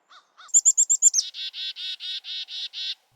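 Black-capped Chickadee: a few thin, high 'chick-a' notes, then about eight buzzy, hoarse 'dee' notes in a steady run, roughly four each second.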